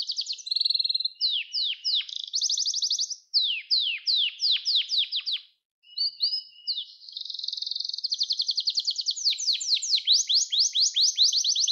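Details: Canary song recorded for training young canaries to sing: high, fast rolling trills of repeated notes, some steady and some quickly falling sweeps, in bursts separated by a brief pause, with no other sounds.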